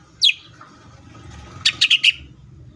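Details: Green leafbird in 'full tembakan' singing: one descending whistled slur, a pause, then four quick sharp high chirps in a fast group over a low background hum.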